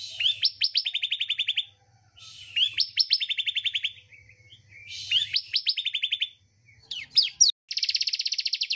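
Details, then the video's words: Bar-winged prinia song used as a lure for a bird unwilling to sing. Repeated phrases each pair a brief scratchy buzz with a rapid volley of bright chip notes. A final long, steady trill of quick notes is heard over a faint low hum. "Terapi / Pancingan Ciblek Malas Bunyi"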